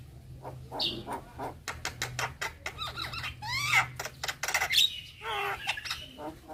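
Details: Young Javan myna in energetic full isian song: a run of sharp clicks followed by buzzy, wavering warbles and a few high whistled accents, over a steady low hum.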